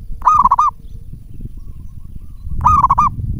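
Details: Zebra dove, a local bird singing briskly as a lure to prompt replies from other doves, gives two rapid trilled, bubbling coo phrases a little over two seconds apart, with low murmuring noise behind.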